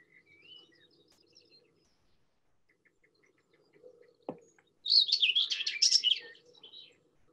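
A Common Whitethroat gives a brief, scratchy, jumbled warble lasting about a second and a half, with no trill, after faint high calls from other birds and a low hum.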